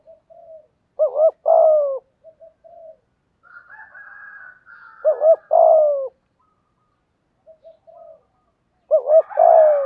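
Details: Spotted dove lure cooing in the thúc gù style to attract wild doves: three phrases about every four seconds, each soft notes then a double coo and a long hoot, with a faint higher warbling call between.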